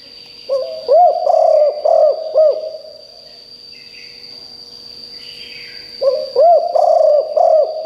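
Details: Calling spotted dove kept to lure wild doves gives two runs of rounded, hollow coo notes about five seconds apart, with a faint continuous high whine and quiet between them.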